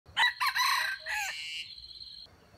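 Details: Decoy junglefowl crowing to lure wild chickens into a trap: a harsh, broken crow in several bursts, strained and rasping, ending in a long fading tail.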